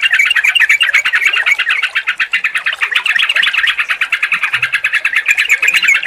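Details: Sooty-headed bulbul combination meant to make a silent, stressed bird sing: a dense, unbroken stream of rapid bubbly and buzzy notes lasting the whole six seconds.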